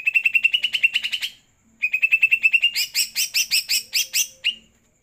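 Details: Light song from a greater green leafbird bathed at night: two bouts of rapid, evenly spaced chips, the second speeding into louder, fuller ringing notes at a slower beat.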